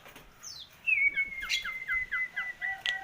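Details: Nias hill myna, recorded 17 October 2021 while being talked to. A quick descending whistle, then a long steady whistled tone runs under a series of short, evenly spaced chirping notes, ending with a sharp click.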